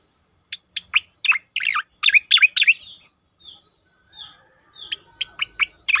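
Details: Leafbird singing to prompt other leafbirds to join in: bursts of sharp, high chirps and quick trilled notes, a short lull near the middle, then more spaced bright chirps.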